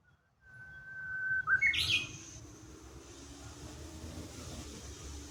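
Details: Japanese bush warbler in Kashiwanoha Park, May 2025. After a short silence, a drawn-out whistled note climbs into a quick, high, tumbling flourish, followed by soft background noise.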